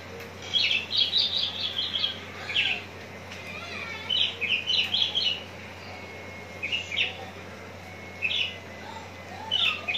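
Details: Javan bush lark, a bird prepared for hanging-contest singing, recorded in Citra Raya, Cikupa, Tangerang: bursts of high chirping, trilled phrases separated by short pauses, with a faint steady whine and low hum behind.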